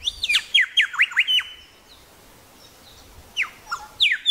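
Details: Musical grey shrike-thrush from Tasmania giving a quick string of about six down-slurred whistles over a held tone, a pause, then more scattered sweeping notes.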